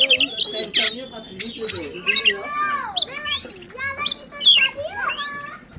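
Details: Agitated oriental magpie-robin song aimed at provoking other magpie-robins: rapid, varied phrases mixing harsh rasping notes, sweeping whistles and rising and falling slurs, delivered nearly continuously.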